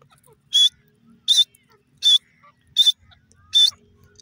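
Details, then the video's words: Grey francolin giving five loud, shrill, piercing notes, one about every three-quarters of a second, against a quiet background. "teeter ki awaaz,grey francolin bird voice,sindhi teetar"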